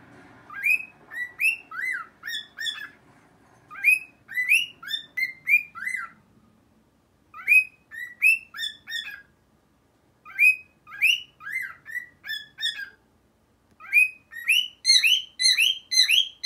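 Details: Newly acquired male pet cockatiel whistles a song the owner cannot identify, in clear, bouncy phrases of rising and falling notes separated by brief pauses.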